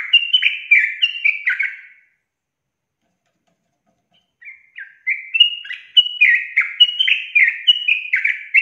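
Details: Sooty-headed bulbul in energetic long 'ropel' singing, used to prompt other bulbuls into rapid song: bright bubbly chortling notes in quick descending runs, a two-second pause, then another run of rolling warbles.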